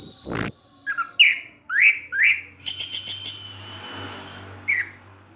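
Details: Orange-headed thrush, a kept bird, delivering teler-style ngecip ngecis song: a loud opening chip, then three rising slurred whistles, a fast run of high buzzy notes and a faint trailing whistle.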